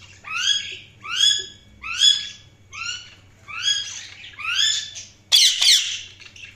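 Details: Budgerigars give a series of six clear downward-slurred chirps spaced under a second apart, each with ringing overtones, followed by a sudden harsh rasping squawk.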